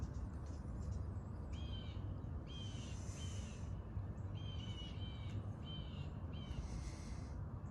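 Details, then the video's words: Red-shouldered hawk calling on 8 January 2020 beside a flowing creek: loud, slightly descending two-note kee-ah cries in quick pairs and series, repeated roughly every second, over a steady rushing water background. "Red-shouldered Hawk Calling"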